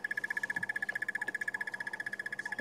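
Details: At sunrise in Sabi Sand on 30 March 2016, a crested barbet, sex unknown, gives a long, even trill of about a dozen pulses a second, announcing its presence and keeping contact with its mate, with faint other bird notes behind.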